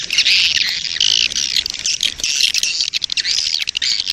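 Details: Lure recording of a swiftlet colony in breeding mood, used to draw swiftlets in: dense, harsh twittering bursts, each about half a second, following one another almost without pause.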